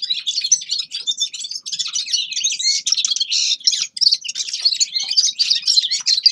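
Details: Grey-crowned goldfinch singing a dense, unbroken stream of high, liquid twitters and tinkling chirps, fast and jumbled, with no other sounds heard.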